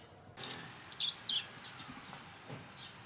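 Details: Autumn garden white wagtail during a season of escalating territorial fights, giving one loud, high, sweeping call that rises and then falls, with a short chirp at the start and faint chirps after.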